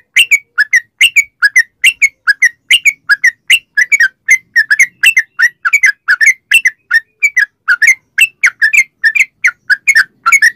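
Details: Yellow-vented bulbul delivering extended rapid chattering song meant to lure other bulbuls into singing: dense runs of liquid, clipped whistles, each note quickly slurred down, continuing without a break.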